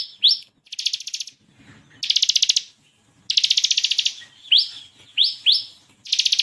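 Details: Bar-winged prinia of the crystal (kristal) variety, used as a master recording to train competition birds; continuous lively song with variations: loud buzzy rattling trills alternating with sharp rising whip-like notes, repeated in quick bursts.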